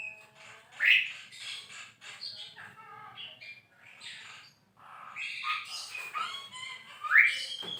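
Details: Javan myna (jalak kebo) song, recorded as a tutor for songbirds: quieter mixed squeaks, harsh chatters and bright rising whistles, with a louder burst of scratchy notes near the end.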